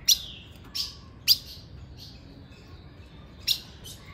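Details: A female ultramarine grosbeak at 5:10 in the afternoon gives sharp, high, downslurred chip notes, about five at irregular intervals over four seconds, over a faint steady hiss.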